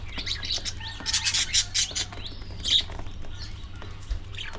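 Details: Caged budgies at early morning feeding time, rapid bursts of harsh squawks and thin chirps, a few short whistled notes, over a low steady hum.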